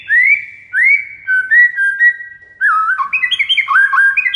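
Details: White-rumped shama master song meant to trigger responses from other shamas: slow rising whistled notes and slurred phrases, then a fast run of chattering, bouncing notes in quick succession.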